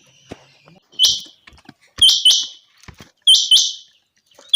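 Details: Chinga quail calling in sunny, clear weather, giving harsh, high, buzzy notes, mostly in quick pairs, about once a second; faint clicks and rustles fill the gaps.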